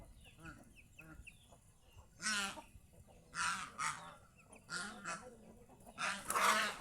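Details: Several kept geese enjoying the fields around their home, their owner saying they are happy. Loud, harsh honks come in short separate bursts, about five of them, after soft distant chirping at the start.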